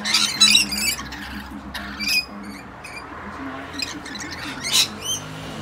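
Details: Wild rainbow lorikeets feeding on a balcony in the early morning, several flock members squabbling; sharp, shrill squawks and short screeches come in scattered bursts, loudest at the start, over a low background hum.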